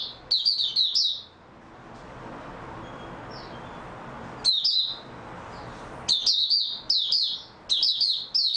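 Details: High, chattering warble of an oriental white-eye (Mata Puteh), one phrase, a long quiet gap of about three seconds, then several quick bursts of twittering notes in close succession.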